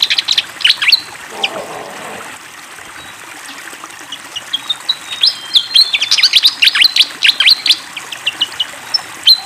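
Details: Fantail singing lively near flowing water: a few high chirps, a quieter stretch with water murmur and a low soft rustle, then a fast crowded burst of sharp whistled notes and slurs.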